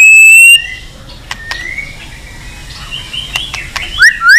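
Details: White-rumped shama fighting song for voice training and stirring birds to sing: a clear pure whistle opens, followed by quieter thin whistles and clicks, ending with loud quick upward-and-downward swept notes.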